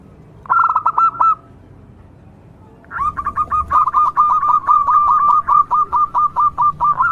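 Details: Local zebra dove in steady song, used as a lure to prompt other zebra doves to sing: a brief burst of rapid clipped coos, a pause, then a long run of quick staccato notes at an even mid pitch.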